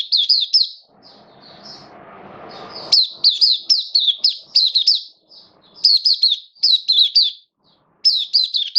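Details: Hobby-kept oriental white-eye, Kitaro, slightly off form, delivers quick high whistled phrases of looping notes in several bursts, with a soft hiss of background noise early on.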